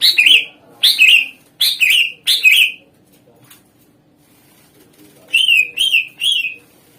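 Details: Greater green leafbird in full song, used as a lure to get other songbirds to answer; four loud chirping bursts of sharp notes in the first half, a pause, then three quick slurred whistled phrases.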